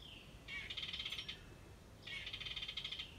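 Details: Two harsh, buzzy rattles from a wren near a birdhouse, each lasting close to a second and starting with a short slurred note, set against faint hiss.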